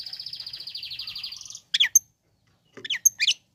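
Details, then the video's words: Long-tailed shrike song meant to provoke other shrikes into singing: a fast, even buzzy trill held high for about a second and a half, then a few sharp separate chips and short squeaky notes. "Bikin Cendet Loyo Kurang Emosi Agar Segera Terpancing Emosi &Ikut Bunyi"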